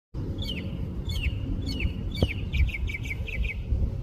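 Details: Mockingbird singing in San Diego: a series of clear, downward-slurred whistled notes repeated about every second, then faster rising chirps near the end, over a steady low background rumble.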